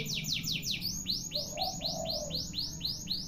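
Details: Long canary song: rapid descending whistled notes give way to a run of rising, arched whistles repeated about four times a second, clear above a faint low background hum.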